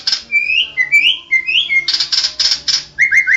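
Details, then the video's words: National champion white-rumped shama in full rolling song: a run of rising whistled slurs, then a series of harsh buzzy bursts, then quick rising whistled notes at the end. A low steady hum sits in the background. "Burung Murai Batu Juara nasional murai batu ngoceh ngerol gacor"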